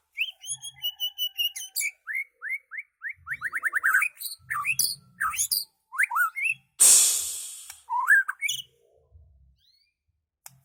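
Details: Unusual song of a White-rumped shama from Medan: rapid series of short rising whistles, then varied looping whistled phrases and chirps, a brief loud broadband rush midway, then a few more notes before fading to quiet.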